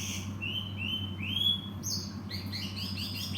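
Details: Cinereous tit singing: a series of clear whistled notes that rise slightly and repeat about twice a second, followed by a quick run of higher, twittering chirps, over a steady low hum.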